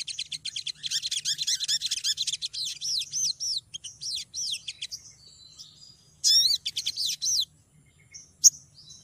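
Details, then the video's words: A female olive-backed sunbird calling to a male, used to lure birds: a long, rapid, buzzy trill of high chirps, slowing into looping arched notes, then a loud cluster of short swoops and one sharp final note. "Sogon betina gacor memanggil jantan"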